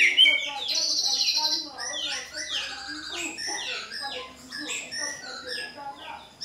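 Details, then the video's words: Energetic White-rumped shama song meant to provoke a caged bird to reply: a long high whistled note, then a fast series of varied looping whistles and swept phrases repeated for several seconds, fading at the close. "PANCINGAN MURAI BATU GACOR pasti nyaut BONGKAR MATERI bila murai batu anda dengar SUARA ini"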